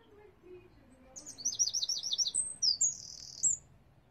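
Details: Garden wren near its nest beside a window, 22 July 2021: a loud, fast, high trill of sharp repeated notes, then a few ringing whistled notes and a brief buzzy burst, with a soft lower tone at the start.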